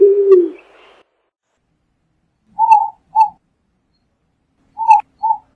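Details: Eared dove song: the end of a low drawn-out coo, then two separate pairs of brief, higher cooing notes spaced about two seconds apart.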